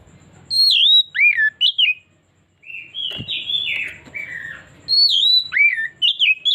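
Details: Oriental magpie-robin singing on a lure recording meant to draw out a bird's repertoire: varied loud whistles, high slurred notes, lower swoops and harsher buzzy phrases in a rich continuous medley, with a brief silence midway and a faint click.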